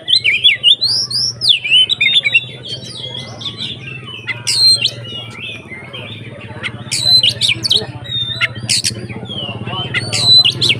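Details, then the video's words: Oriental magpie-robin, locally kacer, delivering 'konslet ngeplong' song to goad other kacer: bursts of loud sweeping whistles and sharp high clicks and chips, separated by quieter passages over a low hum. "SUARA BURUNG Kacer konslet NGEPLONG untuk PANCINGAN KACER supaya lebih EMOSI"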